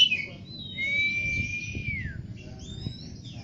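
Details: Oriental magpie-robin singing sweetly: a long, clear whistle that glides slowly downward, followed by thin high whistled notes, over a steady low background rumble.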